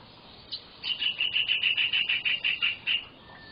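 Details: Rapid chattering phrase from a white-rumped shama singing in the 'full isian' style: about a dozen short, even, high notes repeated several times a second, then a faint thin whistle as the phrase ends.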